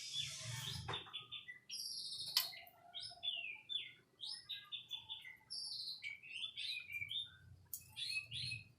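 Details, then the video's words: ['White-rumped shama delivering a lively song of crisp, high whistled notes and quick downslurred phrases, repeated in short bursts, with a couple of loud harsh notes early on and a soft low hum behind.'] "Kicau Murai Batu"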